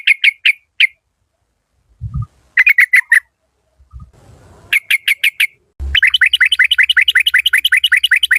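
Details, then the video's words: Decoy yellow-vented bulbul of Malay lineage sings quick clipped note groups, three to five at a time, then a fast steady run of rapid repeated notes, with occasional low knocks in the background. "เสียงนกต่อ นกปรอดหน้านวล ถิ่นมาเล"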